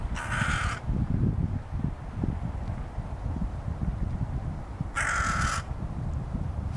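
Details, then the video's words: Hooded Crow investigating a puddle while foraging in Helsinki, Finland, in April 2013, giving two harsh, hoarse caws about four seconds apart over a steady low background rumble. "Hooded Crow foraging and vocalizing"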